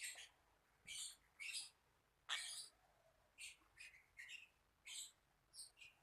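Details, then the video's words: Shrill lovebird chirps in separate bursts about every half second to second, some paired, over a quiet background. "Burung Paling Berani | Lovebird"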